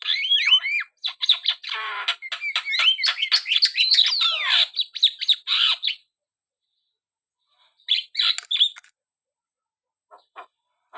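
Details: A Javan myna sings lively: about six seconds of fast mixed whistles, squeaks and harsh grating notes, then silence broken by a short burst of chirps near the end.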